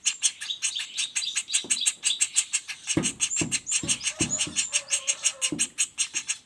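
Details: Young common flameback giving a continuous run of high, scratchy call notes, several per second, alongside dull low knocks and a brief low hum in the background.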